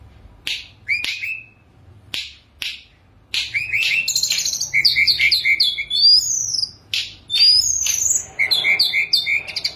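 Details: Caged Sunda robin on its perch, singing with luxurious fill-in phrases. Separate sharp chips at first, then a long run of rapid twittering, trills and thin high whistles.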